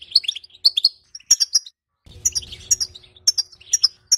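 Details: Twittering calls of a female European goldfinch meant to excite males to mate: clusters of high, tinkling chirps with a short pause, then more twitters over a low rumbling background hum.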